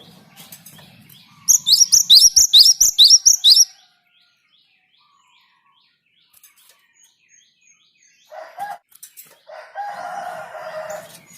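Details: Java sparrow singing to encourage other birds to join in: a two-second burst of rapid, sharp, high chirps repeated about twice a second, then quiet, then a lower, harsher, buzzy call from another bird near the end.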